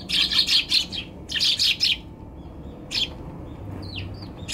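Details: Eurasian tree sparrows on a balcony on December 30, 2020, when a bulbul was attacking sparrows, give quick runs of bright, high chirps in clustered bursts, then a few single notes and short downslurred calls over a low background hum.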